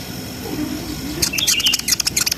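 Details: Brown-throated sunbird song used to stir breeding arousal in young birds: after a quiet low start, a quick burst of very high, sharp chirps and a thin whistled slur takes over.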